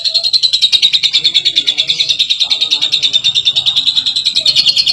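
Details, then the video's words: Lovebird chattering ngekek style, a clear prompt for other lovebirds: rapid rasping high pulses about three per second, with fainter low warbling notes from other birds in the background. "Suara Burung Lovebird Ngekek Jernih Pancingan Buat Lovebird Ngekek Panjang"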